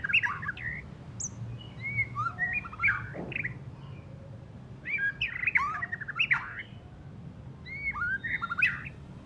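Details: White-rumped shama (murai batu) just after moulting, still giving rough ngeriwik chatter: bursts of quick whistled and slurred notes with sharp rising and falling sweeps, grouped in phrases about every two to three seconds over a low steady hum.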